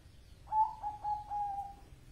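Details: Zebra dove of the Bangkok type singing: a soft, hollow cooing phrase of about five short notes run together, opening with a stronger note and trailing off evenly, over a faint low background hum.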